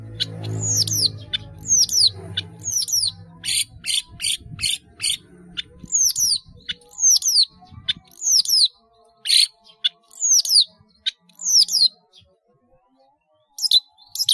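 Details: Caged long-tailed shrike singing with many mimicked phrases: high whistled notes sliding sharply downward, repeated in pairs about once a second, broken by short raspy chatters, with a low rumble at the start.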